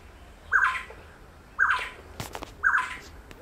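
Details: A Yellow-crowned Gonolek, heard while an Oriole Warbler was being filmed, gives three loud, clear whistled notes about once a second, with a faint voice in the background.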